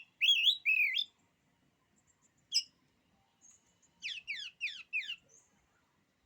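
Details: Oriental magpie-robin song said to daunt other males: two loud clear whistled notes, a short sharp call, then a rapid series of descending chirps, with gaps of silence between.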